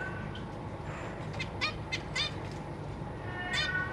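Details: Captive zebra finch family with newly hatched young being fed by their parents and three juveniles nearby; a quick run of nasal, stacked beeping calls in the middle, another near the end, over constant low hum.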